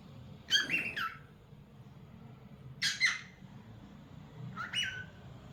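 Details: Pet cockatiel indoors in a small room, giving three separate harmonic squawking whistles with falling tails, each under a second, spaced roughly two seconds apart over a low room hum.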